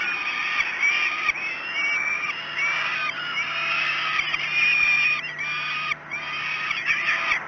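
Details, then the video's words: Falcon chicks begging during a breakfast feeding at the Great Spirit Bluff nest, 06:54 on 5 June 2016: a steady chorus of harsh, overlapping, wailing screams with a brief lull near six seconds, continuing to the end. "Breakfast 3. Great Spirit Bluff Falcons."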